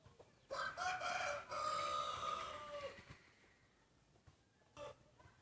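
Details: Main breeding cock in a rooster crowing contest gives a long crow lasting over two seconds, a rough start leading into a steady held tone that slowly fades, followed by a short sharp sound and quiet background hum.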